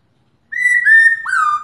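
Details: Female Black-throated Laughingthrush using the 'ro' call to spur a male into song. Two level whistles lead to a final note that jumps up and then glides down.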